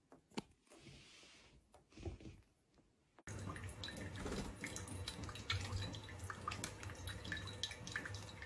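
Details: Dripping and splashing water, like a tap or basin, with a quiet start that then turns into constant busy indoor noise and scattered clicks; no bird voice stands out.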